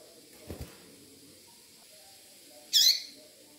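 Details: Female double-collared seedeater calling to excite a tui-tui singing male; a single loud, high, slightly downslurred chirp near the end, preceded by a soft low knock and quiet background.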